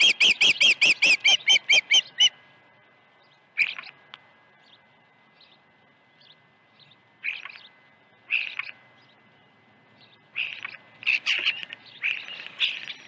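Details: Osprey at Dunrovin Ranch, 21 August 2019, on a morning of two fish deliveries: a quick burst of high piercing chirps opens, then stops. After a pause come scattered short squeaky notes and small clusters of calls.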